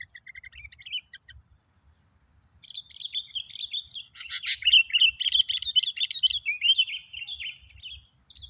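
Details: Sooty-headed bulbul singing persistently, played as a lure to agitate other bulbuls. A few soft clipped notes give way to a dense, chattering run of bright warbled phrases that peaks midway, over a steady high insect whine.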